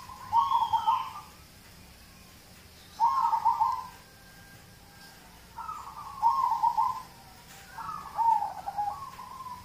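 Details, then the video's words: Zebra dove of a local type, used as a lure so other birds sing: four evenly spaced rolling, trilled cooing phrases, each about a second long, separated by quiet pauses. "Audio terapi perkutut lokal untuk pancingan"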